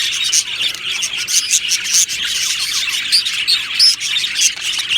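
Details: Chirping budgerigar colony in an aviary, happy birds: lively overlapping tweets and quick warbled phrases, with several clear upward chirps standing out in the second half.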